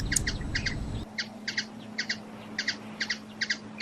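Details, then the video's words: Hummingbird from Brazil repeating short, high chips, often in quick pairs, roughly every half second, with low rumbling noise at first, then a steady low hum. "Ouça o canto beija flor"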